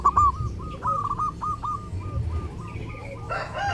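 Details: Zebra dove singing actively during Lebaran, kept as a tutor recording for other birds: a run of short rolling cooing notes in a mid-pitched series, with a constant low hum beneath and a brief higher whistle near the end.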